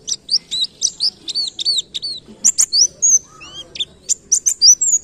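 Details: White-eye song in the 'nembak kenarian' canary-like style of pleci ngalas: busy stream of high, sharp chirps and downward slurs, with a few lower rising whistles mixed in.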